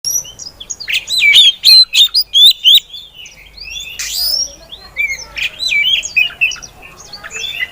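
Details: Female Oriental magpie-robin singing, a song used to lure other magpie-robins into singing. Quick run of short, bright whistled notes near the start, a sharp rising sweep at four seconds, then looser chirps and slurred phrases to the end.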